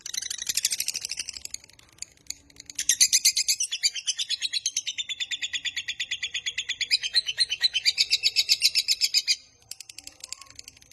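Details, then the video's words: Fast long trill of a lovebird, 'ngekek panjang', played to lure and train lovebirds: a brief chatter, then a steady high rattling run of rapid pulses lasting over six seconds that ends abruptly, followed by soft ticks. "Suara MASTERAN Burung LOVEBIRD Ngekek Panjang Paling Cepat Dan Ampuh Untuk Memancing"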